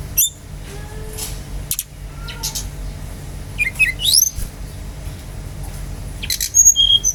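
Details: Brown-chested jungle flycatcher song used as a lure to get other birds singing: scattered thin, high chirps and quick sweeping notes, some sliding up sharply, spread irregularly over a soft steady background hiss.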